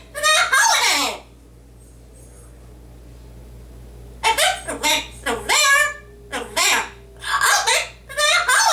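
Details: Indoor male yellow-naped amazon parrot reciting a Dr. Seuss book: a single falling, raspy word, a three-second gap, then about eight rapid speech-like syllables in a high nasal voice.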